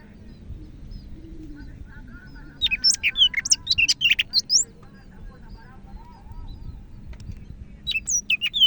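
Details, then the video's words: Greater green leafbird from Medan in energetic song: a quick burst of high, sharply slurred whistles about three seconds long, then a brief pause and another short flurry of notes, over soft low background hum. "BURUNG CAK IJO MEDAN GACOR"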